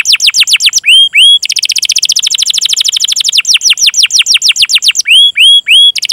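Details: Domestic canary song used as a training lure for young, untrained or silent canaries: fast buzzy trills of repeated chirps, mixed with clear rising whistled notes in pairs and a long rolling section, loud and unbroken.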